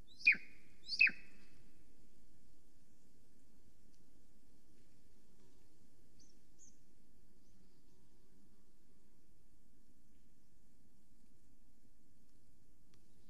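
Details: Female Golden Eagle at a nest in Estonia, morning of 13 July 2020, calling on arrival. Two sharp, downward-sliding yelps come in quick succession at the start, followed by more than ten seconds of near silence with faint background hum.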